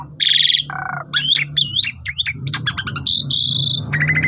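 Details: Asian pied starling, phone recording, singing to get other starlings going: a loud grating burst, a lower rasp, looping whistled phrases and steady high tones, over a constant low rumble.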